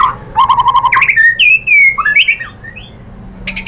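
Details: Murai batu, the white-rumped shama, singing to provoke other birds: a quick run of repeated low notes, then loud slurred whistles rising and falling, trailing into softer notes and a final burst of chatter.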